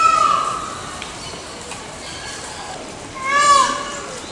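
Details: Peafowl wail fading out at the start, a quiet pause, then one short, sharp, loud mewing cry near the end, over soft background hiss.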